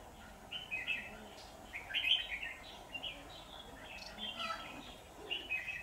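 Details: Caged decoy red-whiskered bulbul of slender, long, shrimp-backed build, used on 23 September 2019 to lure wild rivals into a trap, sings short warbled phrases that bubble and rise one after another, against a faint background hiss.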